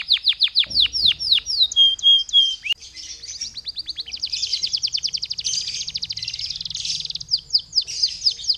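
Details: Lively canary song used as a lure to prompt other canaries to sing: a run of high, steeply falling whistled sweeps, then fast buzzy rolling trills and chattering phrases, closing with a few more sweeps; a faint low hum underneath.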